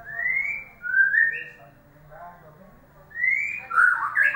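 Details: White-rumped shama singing as a lure to restart a silent bird: clear upslurred whistles, a pause with a soft quiet note, then a dense, tumbling burst of whistles.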